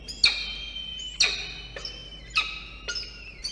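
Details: Peregrine falcon at a water tower nest box in Orange, NSW, Australia, during a midday feeding of the chick on 24 October 2021: repeated high, slightly wavering wails, roughly one a second, with crisp clicks at each onset.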